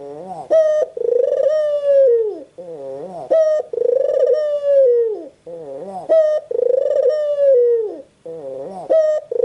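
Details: Rhythmic cooing of a white puter dove: each phrase has a short wavering rising note, a sharp bright note, then a long falling coo, repeated about every two and a half seconds.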